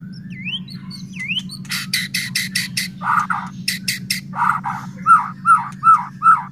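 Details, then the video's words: White-rumped shama in energetic song used as a lure to make other shamas sing and get agitated: rising whistled slurs, then rapid harsh buzzy bursts, ending in four loud repeated hooked whistles, over a steady low hum. "Murai batu gacor AMPUH buat PANCINGAN murai batu agar bunyi JADIKAN burung murai EMOSI"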